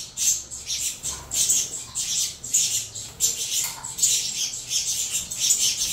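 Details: Crossbred saffron finch chicks of Venezuela CMA and CVK 103 parentage squawk for food during feeding: repeated shrill, buzzy high bursts in quick succession, some briefly lower, over a quiet low hum.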